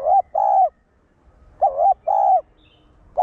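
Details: Low, mellow spotted dove call in the one-ending style, used to stir up caged doves. Two phrases, each a quick wavering note and then a drawn-out steady coo, about a second and a half apart.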